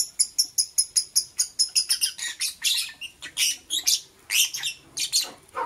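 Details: Morning lovebird chirping: a quick, even series of about fifteen sharp high chirps, then broader, harsher squeaky notes that continue in an irregular run.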